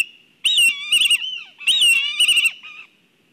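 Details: Excited black kites at their nest in Kurzeme, Latvia. Two loud bursts of shrill, trembling whinnies with harsh stuttering notes are followed by softer wavering tails.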